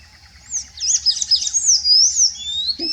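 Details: Sayaca tanager, one of a nesting pair on a trail at Serrinha, Uberlândia, sings a high, squeaky warble of quick sliding notes for about two seconds, over a faint low hum with a soft thump at the end.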